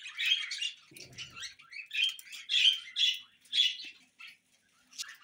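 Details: Pet budgerigars give separate short squeaky chirps and warbled bursts, roughly two or three per second, with brief gaps between them. A short low murmur is heard near the first second.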